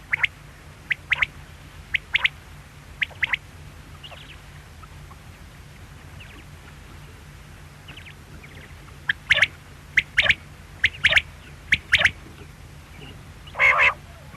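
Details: Short clipped quail notes come in pairs and small bursts, with a long quiet gap in the middle, then a livelier run of calls and a rough buzzy burst at the close; steady low hum throughout.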